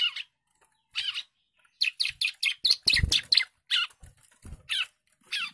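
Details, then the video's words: Young bar-winged prinia singing agitatedly: short buzzy chirps, first spaced out, then a quick burst of about a dozen, with low knocking and thumping sounds around them. "CIBLEK GACOR DOR,, CIBLEK MUDA NGAMUK"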